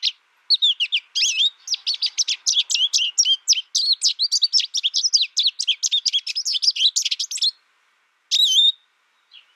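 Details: American Goldfinch delivering a sustained, fast warbling twitter of high sweet notes for about seven seconds, then silence and a short cluster of clear rising whistled notes near the end.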